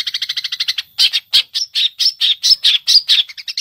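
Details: A captive competition long-tailed shrike, a mimic of other birds' songs, gives a rapid run of harsh, scratchy chattering notes, then a series of louder buzzy squawks at about two or three per second.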